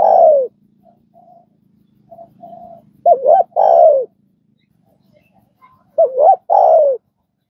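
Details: Spotted dove cooing, meant to get newly caught doves calling quickly: a long falling coo, soft murmured notes, then two phrases of a wavering double hoot followed by a drawn-out downward coo.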